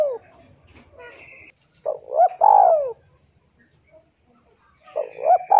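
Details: Spotted dove in full song, played to train captive birds: two and a half phrases of quick stuttering coos leading into a drawn-out falling coo, separated by pauses, with thin chirping of small birds in the background.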